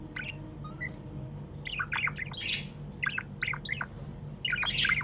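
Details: Budgerigars kept as pets chirping happily, a lively run of bright twittering notes and short squawks in rapid clusters, growing busier toward the end, with low steady hum beneath.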